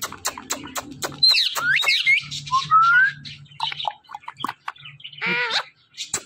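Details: Pet parrot playing with its best friend makes looping whistles, a bright rising whistled note and a harsh stacked squawk among clicks, taps and household noise.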